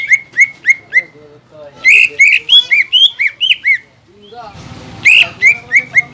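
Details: Greater green leafbird contest lure song for the ngentrok fighting style, opening with evenly spaced sharp whistled notes, then a tumbling series of slurred whistles, a noisy pause and more quick chirps.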